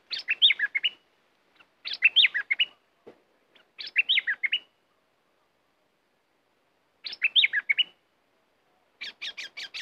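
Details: A caged red-whiskered bulbul, fierce this week while used to decoy wild birds over three days, repeats a short bubbly warbled phrase about every two seconds, with a long pause before the last phrases.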